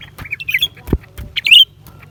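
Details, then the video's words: A lesser green leafbird gives a brief sequence of sharp, squeaky notes, ending in a louder, slurred, twisting squeal, with a single knock and faint background hum. "เสียงนกเขียวกลาง ปีกสีฟ้า suara cucak ranting"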